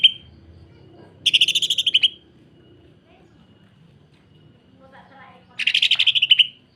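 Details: Greater green leafbird delivering dense, coarse 'sewing machine' phrases recorded to train other leafbirds: two quick rattling bursts of repeated buzzy pulses, each under a second long, with a long quiet gap between them.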